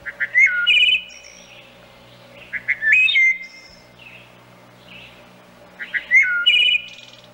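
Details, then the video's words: A Wood Thrush sings intermittently to attract a mate: three flute-like phrases a few seconds apart, each ending in a high, shimmering trill, over a faint low hum. "Wood Thrush intermittent singing"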